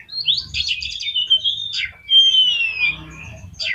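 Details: Oriental magpie-robin song played to provoke other magpie-robins: rapid twittering runs, then a long clear whistle gliding downward, with a low rumble beneath.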